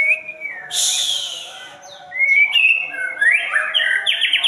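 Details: White-rumped shama singing in 'jalur murai' style: a brief harsh burst, then ringing whistled slurs that climb and fall, ending in quick repeated high trilled notes.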